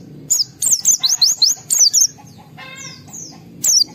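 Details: Agitated white-eye song intended to draw replies from other white-eyes: a quick string of piercing, downslurred high whistles, a pause with faint sound, then one more shrill note.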